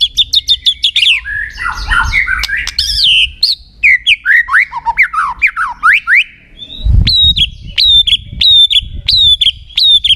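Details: White-rumped shama in energetic song to trigger other shamas to answer: quick high chips, a jumble of warbled and slurred whistles, then evenly repeated downslurred whistle notes, with low background rumble.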